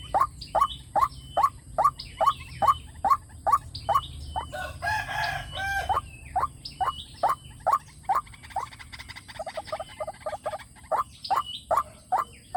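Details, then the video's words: White-breasted waterhen decoy call, played through a speaker to bring wild waterhens in to fight: a long, even series of clipped, hollow notes about twice a second, interrupted once by a brief noisy rustling burst, faint bird whistles behind. "tiếng chim quốc mồi dung để kep loa chim quốc rừng nghe là đá"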